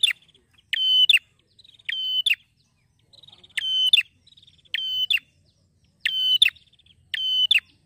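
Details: Male prinia, said to be happy, giving loud piercing level notes with crisp clicking edges in pairs, interspersed with soft quick ticking trills; six phrases over eight seconds, no other noise.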